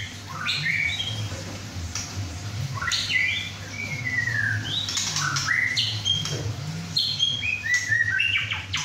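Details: Young captive male White-rumped shama, about 11 inches long after his first moult, in a home chai session with other birds: spaced bursts of high whistles and slurred glides, several phrases per second, against a humming background.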